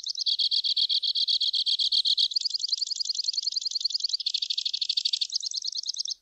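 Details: Song of the two-barred crossbill: a sustained chain of trills, starting with even chirps, moving to a faster finer rattle, then a coarse buzzy section and a final looser series, clean background.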